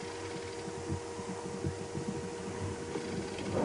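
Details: Low throbbing engine drone with steady humming tones, like an idling vehicle; no animal calls.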